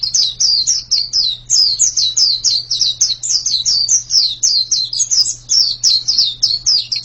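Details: Continuous white-eye singing: a brisk stream of piercing, downward-slurred tweets at a fast steady pace, accompanied by a low constant hum.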